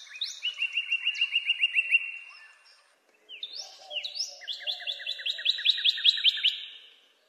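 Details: Two phrases from a northern cardinal: first a string of rapid rising whistles, then after a short gap, sweeping upslurs leading into a long, even run of quick repeated notes.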